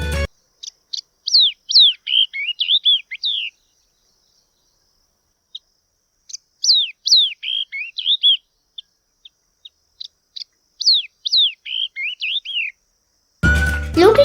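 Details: Yellow-eyed babbler in Sri Lanka, a bird of shrubland, grassland and wetland found in small flocks and pairs, giving three bursts of quick, bright whistled and chirping notes sliding up and down, separated by short pauses; a brief snatch of music closes it.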